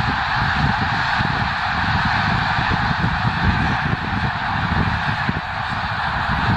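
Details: Massed honking from a flock of more than 30,000 snow geese stirred up by a limping black bear, January 2016: a steady wall of overlapping calls over deep rumbling noise.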